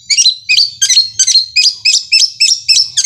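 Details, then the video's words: A long-tailed shrike rattles out harsh, high, buzzy phrases, about three a second, in a steady machine-like roll likened to a sewing machine; nothing else is heard. "Cendet Roll Speed suara kuntilanak Armageddon seperti mesin jahit gacor"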